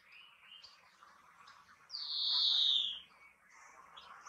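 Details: Greenfinch song: a single strong, harsh, drawn-out wheeze about a second long, sloping downward. It stands out clearly against quiet twitters from other small birds.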